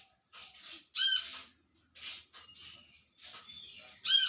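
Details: Olive-backed sunbird in the wild calling to its companions, giving loud, harsh, arched notes among softer hissing, chattering notes.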